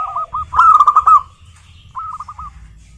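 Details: Local zebra dove: a few clipped notes leading into a loud rolling phrase, a pause, then a short soft trill of cooing notes.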